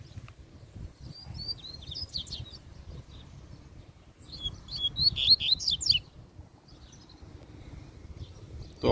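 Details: Wild double-collared seedeater in nature, singing two bursts of rapid, high, twittering and warbled phrases separated by pauses, with a low rumbling background and a sharp knock at the end.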